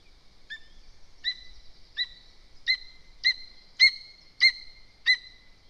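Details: Lesser spotted eagle at a nest in Zemgale, Latvia, the female calling to the male while another bird is too near the nest: eight clear high whistled yelps, each a short sharp note, repeated about every half second, rising in loudness.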